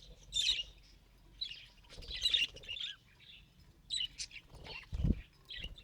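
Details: Pet budgerigar attempting speech, producing scratchy warbled phrases and soft chirps in groups, with a low thump partway through.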